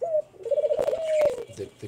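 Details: A captive male dove in a home bird house gives a soft, low, wavering coo directed at a female.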